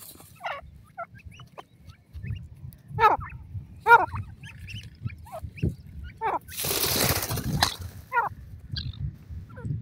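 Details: Grey francolin chicks give quavering, trilled cheeps at irregular intervals, with a burst of splashing or rustling noise partway through and a voice faintly audible.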